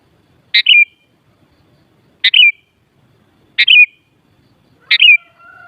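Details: Sooty-headed bulbul (kutilang) sound for stirring other kutilang into answering: four sharp whistled phrases, roughly every 1.4 seconds, each a harsh broad onset falling into a short slurred note, a faint steady lower whistle at the end.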